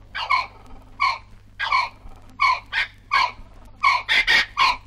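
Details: A pair of Brolgas in Australia give loud, harsh trumpeting calls, about nine in five seconds, coming faster and overlapping at the end.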